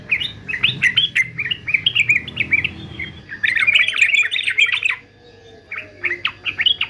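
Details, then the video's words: Male yellow-vented bulbul described as a fighter, recorded for training other birds to sing: bubbly, warbled chattering phrases in bursts, a louder rapid run mid-clip, then a brief pause before short notes resume. "TRUCUKAN JANTAN FIGHTER ANTI BISU"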